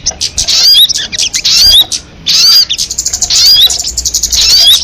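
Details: Crested jay producing rough, grating chatter with sharp whistled upslurs, in several loud bursts and one distinct silent break.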